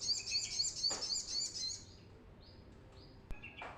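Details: Brown-throated sunbird in full song, a recording used to lure and train birds: a fast, even run of piercing high twittered notes for about two seconds, then a few thin, separate whistles.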